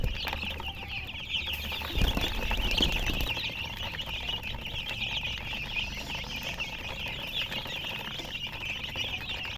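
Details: Chickens peep rapidly and continuously in a thick chorus of high chirps, with a brief rustling knock near the start.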